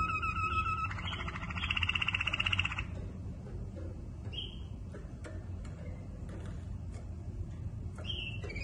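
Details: Waterslager canary singing: a rapid rolling trill for about two seconds, then short clear whistled notes separated by pauses, over a steady low rumbling background noise.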